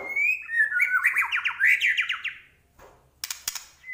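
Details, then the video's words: Medan-type white-rumped shama in lively 'gacor' song full of 'isian' fill-in phrases: a fast, dense chain of whistled and slurred notes rolling up and down for over two seconds, then a gap and several clicking ticks. "Murai Batu Medan Gacor Full Isian"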